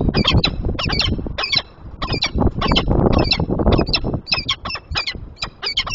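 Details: Peregrine falcon on 30 March 2023, as the male takes over incubation in the morning, giving harsh, rasping squawks in quick bursts of roughly two or three a second, over a steady low rumble of wind or traffic.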